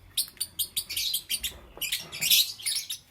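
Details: Lovebirds of green, yellow and lutino forms chirping in the morning: a rapid, nearly continuous chatter of high, raspy chirps, several per second, rising into a louder scratchy flurry midway.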